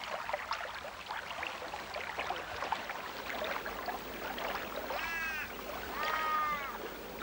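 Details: An Australian raven in the remote Kimberley, Australia, gives two drawn-out, nasal, harmonic wails about a second apart, which a viewer likens to sheep, over a steady rushing background like water or a dense insect chorus.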